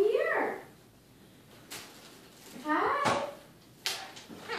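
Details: Pet Eclectus parrot's evening talk: nasal rising-falling harmonic calls at the start and again midway, mixed with sharp knocks and clicks in a small room.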